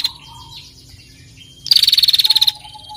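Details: A lone female bar-winged prinia rattle in the 'ngetir' style, meant to stir other birds into song. Quiet faint chirps come first, then one loud, fast, buzzy trill lasting under a second.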